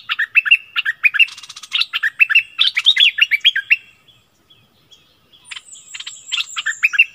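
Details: A streak-eared bulbul kept as a decoy bird, recorded 16 February 2021, gives quick runs of bright, chirping notes, pausing briefly before more chattery phrases; thin high whistles sound faintly near the end.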